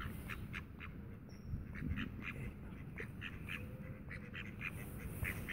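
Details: Tame mallards in the Friedrich Ebert Park, Ludwigshafen am Rhein, Germany: a soft series of short nasal calls, repeated several times a second, over a low steady background rumble.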